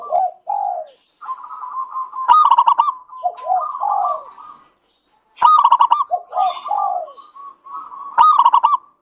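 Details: Lure song of a local zebra dove meant to start other doves singing. Short low falling coos lead into loud stuttered phrases, repeated roughly every three seconds, with long steady cooing between and faint high chirps.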